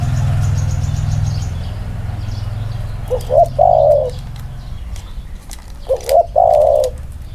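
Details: Two spotted doves placed together to compare their 'inner-circle' cooing: after a stretch of low rumbling hum, two separate coo phrases, each a pair of short notes leading into a longer wavering coo, about three seconds apart.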